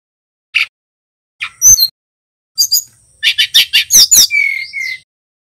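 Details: Male Brown-chested jungle flycatcher from Bali, a young bird learning its song. Scattered short sharp chirps, then a rapid run of loud buzzy notes, ending in two clear, steady high whistles.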